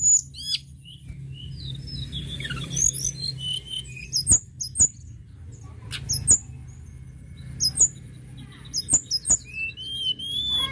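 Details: Tledekan gunung in full song to stimulate birds: scattered high chirps and downward-sweeping notes, with a soft whistled phrase early on and sharp clicks spaced through, over a low rumble.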